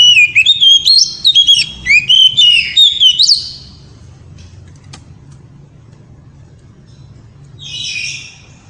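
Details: Oriental magpie-robin (kacer) in ngeriwik song to excite the female: a rapid chain of repeated whistled, looping notes for about three seconds, then quiet with a brief buzzy burst later.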